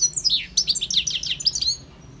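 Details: European goldfinch singing: a rapid run of bright, twittering chirps and liquid trills, dense at first, with a pause before a second burst of high tinkling notes that fades out.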